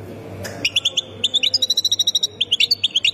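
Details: Goldfinch of the Khemis Miliana sector in Ain Defla province, Algeria, delivering crisp repeated high twitters in quick pulses, about six per second, steady and bright over a low background hum.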